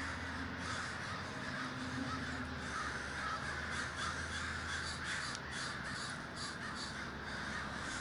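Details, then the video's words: Many crows at a great communal gathering in Davis, California, cawing all at once so the harsh calls blur into a constant raucous din that holds at an even loudness. "The Great Gathering of Crows"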